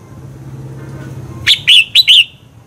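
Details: Red-whiskered bulbul singing to prompt competitive song: after a low background hum, one quick phrase of four clear, bright whistled notes, each bending up then down.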